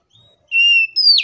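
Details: Oriental magpie-robin fighting song used to spur other magpie-robins to sing: a brief clear whistled note held steady, then a sharp descending slurred whistle.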